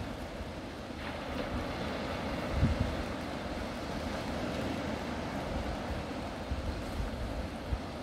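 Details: Deep rumbling wind and surf noise on a beach with a low engine-like drone and a few soft thumps, no animal voices.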